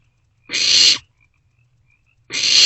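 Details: At night on 27 March 2024, barn owlets in a nest box pass a vole back and forth between them. Two long, rasping hiss-screeches are separated by a pause of more than a second.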